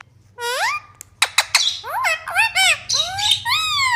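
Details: Baby parrot kept as a pet, giving a fast series of loud squawks and rising, whistled notes with strong overtones, about three per second, some sharp clicks between them.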